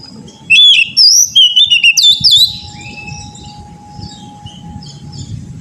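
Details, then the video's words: Oriental magpie-robin (kacer) song used as training material for singing birds; one brisk phrase of clear whistles and chattering notes, then quiet with a faint steady tone and low rumble. "TERAPI KACER BAHAN AGAR CEPAT GACOR NGEPLONG"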